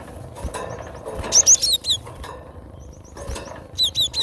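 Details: Gelatik batu, the cinereous tit, in a recording used for luring and tutoring birds: two short bursts of piercing, downward-hooked chirps separated by a quieter gap of faint rustles and taps.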